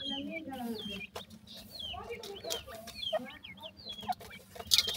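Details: Several young francolin chicks, said to be happy in the summer season, peep constantly with thin, high chirps that slide downward, with a brief scratchy burst near the end and a faint low hum.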